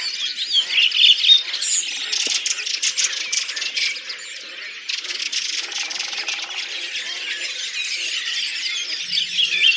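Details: Many Redwings singing collectively in April 2019 at Oka Nature Reserve, Russia: a thick high chatter of overlapping chirps and trills, with bursts of harsher rattling chatter swelling and fading across the stretch.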